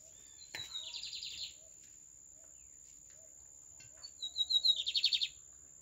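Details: Lined seedeater, known in Brazil as bigodinho, singing: short high thin notes, then rapid buzzy trills, repeated twice with a pause between, the second phrase louder and preceded by a string of quick ticking notes; a steady high tone runs throughout.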